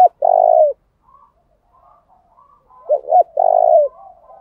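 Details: Spotted dove of the local ground type, a decoy call used to provoke rivals into a singing duel and lure them in: a long low steady coo, a pause, then two short bent notes and another drawn-out coo, with faint distant cooing between.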